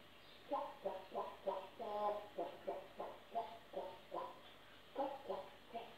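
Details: Pet African grey parrot sings while dancing, a voice-like, tuneful run of about a dozen rounded syllables, roughly three per second, rising and falling in a low, human-like pitch.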